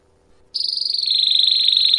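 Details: Canary training song in the campainha long style, used to teach young birds: a sudden sustained high rolling trill with rapid regular pulses, sliding gently downward in pitch as it continues.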